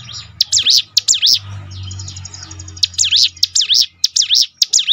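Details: Bar-winged Prinia (ciblek gunung) song, meant to coax trained birds into singing: clusters of high, loud dipping notes, broken by a quiet gap with low humming, then resuming in a quick repeated series.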